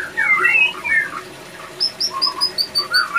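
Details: Breeding-condition male white-rumped shama in captivity at a breeding facility. A short burst of mellow slurred whistles, followed by a run of thin high evenly spaced notes over softer lower whistles.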